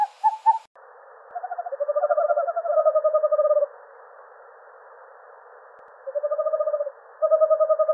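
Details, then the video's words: An owl gives fast, mid-pitched pulsed trills in bursts of one to two seconds, each a quick run of tremulous hoots. The sound is thin and narrow over a faint background hiss. "Le hululement du hibou 🦉 Le Cri du hibou - The cry of the owl"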